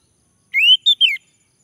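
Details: Male orange-headed thrush prompted to sing: three clean whistled notes, a long rising slur, a short high note, then a falling slur, set in silence.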